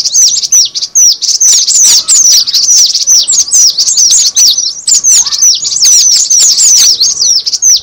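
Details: Cinereous tit calls played as a lure: loud, unbroken chatter of sharp, high chirps, each a quick descending slur, packed closely at roughly two per second and layered over one another.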